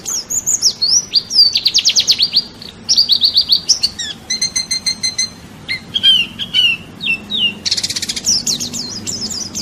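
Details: National-champion white-eye (pleci) masteran for songbird training. Fast high trills and warbles are cut by a harsh, buzzing, rattled call and a burst of rough noise, then resume as a high warble.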